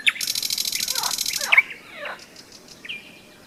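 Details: Singing nightingale, May, Seversky Donets riverbank during a hikers' halt: a fast buzzing rattle for about a second and a half, then low swooping notes and a thin level whistle.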